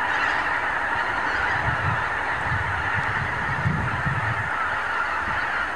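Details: Thousands of wild geese gathering on morning pastures and fields in the Lower Rhine region, Germany, filmed with a camcorder: a dense, continuous chorus of overlapping honks, with low rumbling wind gusts around the middle.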